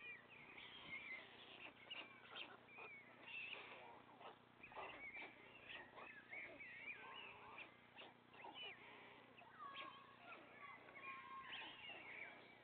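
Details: Father white stork feeding three young chicks at the nest; a long, busy chorus of sliding high mews, squeals and clipped nasal pulses, calling almost continuously.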